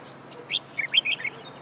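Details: Red-whiskered bulbul used as a decoy for trapping, spreading its tail: a short phrase of bright, quick, bubbling whistled notes against steady background hiss.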